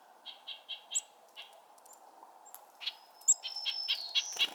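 Black-throated Green Warbler song: a run of five buzzy, even notes, then thinner, higher buzzy phrases. A steady low hum runs underneath.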